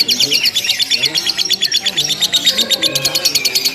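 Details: Lovebird chattering without pause during a simulated contest, bright high chirps in quick pulses, interrupted briefly by a softer gap before the rapid chatter resumes.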